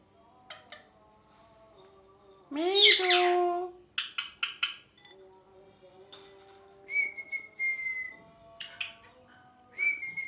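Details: Pet ringneck parakeet in a small room: soft tonal notes, one loud harsh screech, then clipped chirps and two long steady whistles near the end.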